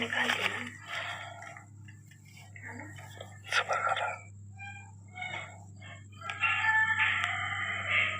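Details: Three pet Rose-ringed (ringneck) talking parakeets playing in a house courtyard give harsh, drawn-out calls, some almost crowing or speech-like, in uneven bursts.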